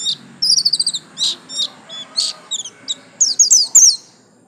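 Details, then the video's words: Pleci white-eye, garis kuning buxtomi variety, delivering a varied stream of high notes: rapid trilled chips, short buzzy bursts, then a run of sharp falling whistles, against a low hum. "absen garis kuning pleci buxtomi"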